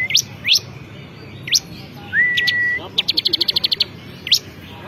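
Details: Champion bar-winged prinia singing actively: quick upward-sweeping whistles, a long level whistle, then a fast run of about ten sharp clipped notes and a final rising sweep, over a low steady background hiss.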